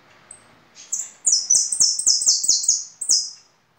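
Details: Goldfinch song, kept as a singing bird: a faint high whistle, then a rapid chain of loud, sharp, high-pitched notes, each dropping slightly in pitch, repeated about eight times before one final note and quiet.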